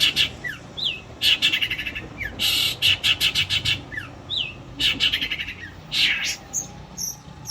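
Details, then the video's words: Trained caged long-tailed shrike used as a singing model for daily practice and competitions, delivering a loud, rich song of fast buzzy notes in quick bursts mixed with short whistled slurs. "BURUNG CENDET GACOR FULL NEMBAK KASAR"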